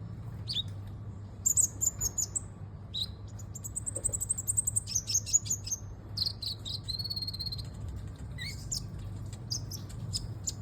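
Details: Olive-backed sunbird, locally called kolibri ninja, singing high thin twittered notes and short trills in bursts, some sustained buzzy phrases, with a steady low hum underneath.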